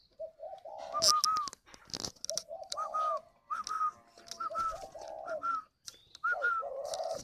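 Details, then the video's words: Captive spotted dove at a breeding aviary near Ba Vì, Hanoi, Vietnam, calling in repeated phrases: low soft coos, each capped by a higher, slightly falling note, several series over a few seconds. "Gáy gọi Hậu 1"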